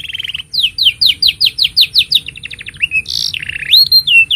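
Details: Canary song serving as master for young canaries: a brief buzz, then about ten quick descending whistled notes at roughly six per second, a soft trill, and closing buzzy and rising whistled phrases.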